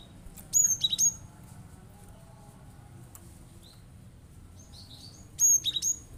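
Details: Cinereous tit in vigorous song, rapid shots meant to rouse other birds to sing along; two matching bursts of four or five high, sharp chirps separated by about five seconds of quiet.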